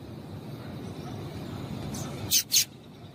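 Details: Female double-collared seedeater call meant to excite males: a quick pair of high, bright chips near the end after a stretch of low rumbling background noise.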